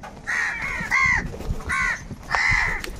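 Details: Crows fighting for food give grating caws in short groups, four or five calls over three seconds, over faint low background noise.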